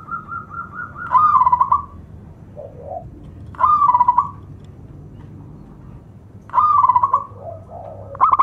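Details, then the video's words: Local zebra dove with a distinctive rhythm, singing loudly to lure other doves and spur silent ones: three rolling trilled coo phrases about three seconds apart, each with soft lower notes after, above a continuous low hum. "SUARA PERKUTUT LOKAL ( PEMIKAT AMPUH PERKUTUT MACET BUNYI )"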